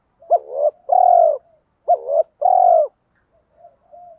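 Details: Spotted dove in a 2024 'kích bổi' provoking call: two quick back-to-back phrases, each a brief broken coo and then a long, smooth, low coo. Faint soft coos follow.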